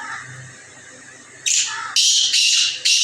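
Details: Male black francolin (kala teetar) calling: a low murmur gives way to four loud, harsh, grating bursts in quick succession, each roughly half a second long, with brief silent gaps between them.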